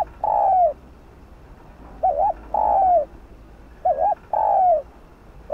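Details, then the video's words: Lure song of a spotted dove meant to set other doves cooing: low mellow coos, each a brief wavering two-part note followed by a longer falling note, repeated in steady phrases with faint background hum. "Tiếng cu gáy mồi kích bổi nhanh gáy"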